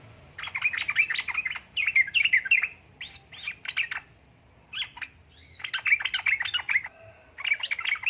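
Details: Female sooty-headed bulbul calling to a male: quick, busy phrases of chirpy notes, some phrases dropping in pitch, delivered in clusters with brief gaps, steady faint background hum.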